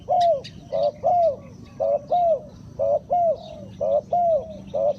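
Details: Spotted dove as a trapping lure, soft low coos in pairs repeated every second or so, opening with a couple of sharp clicks and faint chirps in the background.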